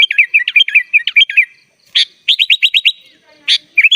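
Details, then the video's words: Sooty-headed bulbul, full isian gacor song as master audio: rapid tumbling whistled phrases, a sharp note, then a fast series of rising chirps, ending with more quick bright notes. "SUARA BURUNG KUTILANG GACOR FULL ISIAN"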